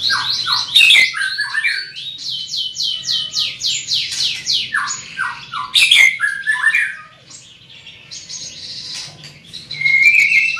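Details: Big-bodied greater green leafbird pouring out a long, loud song of rapid downslurred whistles, mimicry-like phrases and chirps, a quiet gap, then renewed high notes.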